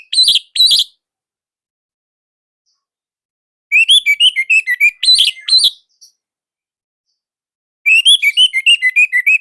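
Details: Orange-headed thrush from Indonesia singing in a tight, loud, nonstop style. Short explosive bursts alternate with long pauses. Each burst is a quick string of high slurred whistles and chattering notes, about three per second.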